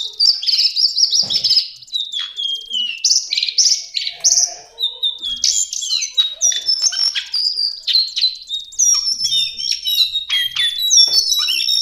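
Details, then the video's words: Extended lesser shortwing song for songbird tutoring: twelve seconds of nonstop, high, jumbled warbling that blends clear whistles, downslurs, fast trills and scratchy chatter in quick succession. "Master Pancingan Burung cingcoang/jongkangan coklat"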